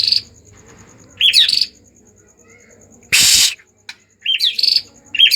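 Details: Agitated white-rumped shama song aimed at triggering other shamas to sing: short high chirping phrases with upward flicks, separated by pauses and one harsh broadband burst.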